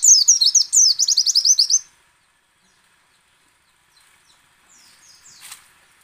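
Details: High, fast white-eye song of the ngecal, ngalas and nembak kind, used to draw other white-eyes into singing: a two-second torrent of sweeping, twittering notes, then near silence with a few faint distant chirps.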